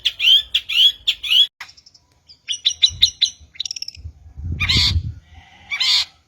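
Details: Long-tailed shrike song, a recording for luring shrikes: bright chirps in quick triple bursts, a short run of clipped notes, then two loud harsh rasping squawks with quieter buzzy phrases between.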